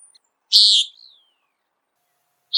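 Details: One loud buzzy peent from a Common Nighthawk, trailing into a soft falling whine, followed by the start of a second call two seconds later; a flying bird searching for insects, on a quiet background.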